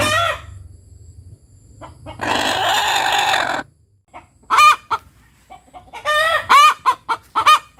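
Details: Indonesian village chicken hen cackling, a call hens give after laying an egg or on noticing something odd; a broad noisy burst and low hum come first, then sharp repeated clucks rising into loud arched 'petok' notes.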